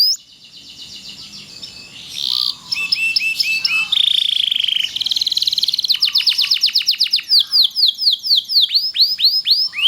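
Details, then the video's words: Loper-type canary singing a long, lively tutoring song meant to train other canaries; after a faint start, high buzzy rolls and a sustained trill lead into rapid series of downslurred whistled notes, about four per second. "kenari loper gacor panjang durasi panjang sangat ampuh buat masteran segala jenis burung kenari"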